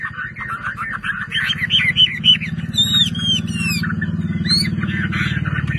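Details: Caged Chinese hwamei singing varied warbles and whistled phrases with bright high slurred notes midway, partly masked by a loud droning motor noise throughout.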